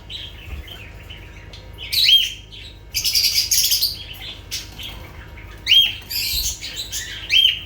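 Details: Lovebirds calling: bursts of harsh, high squawks and shrill chirps in clusters, with short quiet gaps between bursts and a faint steady hum behind.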